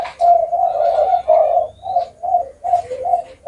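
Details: Spotted dove cooing indoors: low, hoarse coo notes in short phrases separated by brief pauses, with a faint higher chirp in the background.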